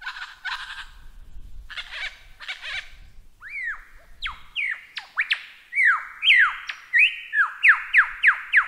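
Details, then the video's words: Lyrebird song for caged-bird training: buzzy chattering bursts, then a sequence of loud sharp downslurred whistled notes repeated about twice a second. "Masteran Burung Lyrebird SUARA EPIC!"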